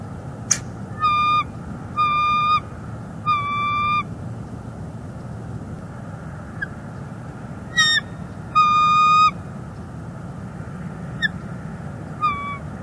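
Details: Female bald eagle at her northeast Florida nest, February 11, 2021, talking to her mate on a branch. Clusters of high, harmonic piping chitters come in rhythmic runs, pause, resume, then taper to scattered single notes.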